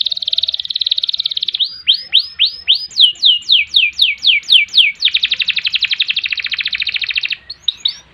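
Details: Canary in vigorous song as training material: a buzzy trill, then a string of loud downward-swept notes about three per second, followed by a long rapid rattling trill and a few final sweeps.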